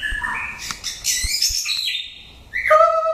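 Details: Old wild-caught white-rumped shama in training for singing contests: a rapid run of varied high whistles and twitters, then a clear descending whistled phrase ending on a low pure note.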